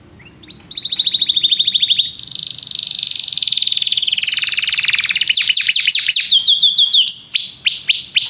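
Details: Belgian canary song with rapid rolling trills at shifting pitches, a sustained buzzy run that dips lower, then quick sharp descending notes and a higher trill to finish.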